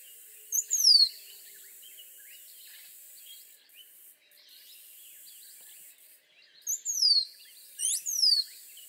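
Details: Rose-throated becard song: a high, thin, descending whistled slur near the start, then after a pause two more sliding downward phrases close together, with faint chatter of other birds between them.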